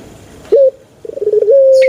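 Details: Brief snatch of a male Barbary dove: a short hooted note, then a bubbling, stuttered roll rising into the start of a level coo.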